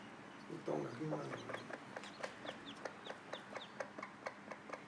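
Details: Mother hen calling her chicks to food: a brief louder burst of voice, then a steady series of short low clucks, about two per second, with thin chick cheeps in the background.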